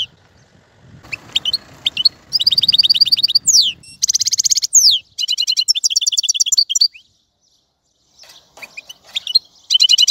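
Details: European goldfinch delivering a long, tumbling twittering song of fast high notes, buzzy trills and sweeping downslurs, opening over low background noise and pausing briefly before resuming.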